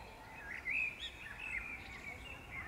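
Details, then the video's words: Wild birds singing in the Powsin Botanical Garden during May 2016, brief chirpy warbles with a louder twittering burst near the start, set against constant low environmental hum. "śpiew ptaków maj 2016"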